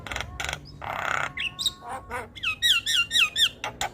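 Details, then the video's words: Javan myna singing loudly, a training recording for songbirds. Harsh rasps and a long grating burst lead into a repeated series of slurred, downward whistles about twice a second. "Jalak Kebo gacor Tak Kenal Waktu Bikin Ribut Burung Lain Ikut Bunyi"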